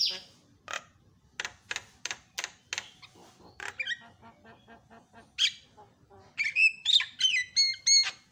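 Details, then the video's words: Javan myna lure sound used to set silent mynas chattering: a series of spaced dry clicks and rattling pulses, then a burst of harsh notes and bright, ringing whistled phrases near the end. "HITUNGAN DETIK JALAK KEBO LANGSUNG BERISIK"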